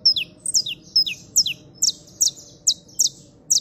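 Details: Saffron finch (canario criollo) trilling: sharp, high, down-slurred chirps delivered singly and in pairs roughly every half second, with a faint low hum behind.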